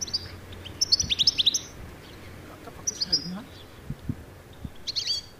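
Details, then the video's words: European goldfinch calling in flight in Norway, its call rendered locally as "stillits, stillits, stillits"; quick bursts of bright, tinkling twittered notes around one and five seconds, with a man's voice faintly beneath. "Den sier nemlig stillits, stillits, stillits. Jeg kan faktisk høre den her."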